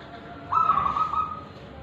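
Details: One trilled cooing phrase of a local wild-origin zebra dove from Tulungagung, Indonesia, known for its ulem and kristal song style; the note starts bright and fades over about a second.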